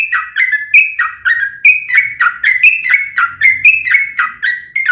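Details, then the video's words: Sooty-headed bulbul in rapid 'ropel panjang' song, used to get other bulbuls singing back; an even string of clear, downslurred whistled notes delivered about four per second without pause. "trucukan gacor ROPEL PANJANG buat pancingan trucukan agar bunyi"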